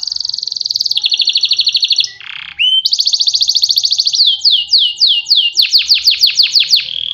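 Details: Canary singing loud, fast trills: a steady buzzy rattle, a short low harsh burst, another long rattling trill, then a run of quick descending sweeping whistles repeated several times.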